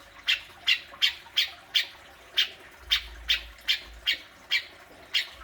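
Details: Cucak jenggot, or grey-cheeked bulbul, besetan used to coax kept birds: loud, evenly paced harsh buzzy notes repeated roughly every third of a second throughout, clean and dominant.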